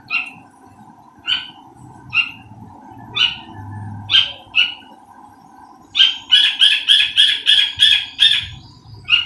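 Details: Partridge shut in a cage apart from its mate while cooking went on, calling loudly: spaced sharp notes, then a fast burst of about eight rapid, ringing notes, all over a steady hum.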